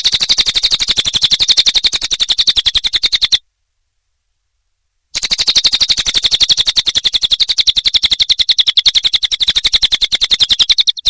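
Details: Lesser green leafbird (cililin) song used as a training recording for other songbirds: a fast, even chatter of sharp high notes, about ten per second, broken by a short silent gap.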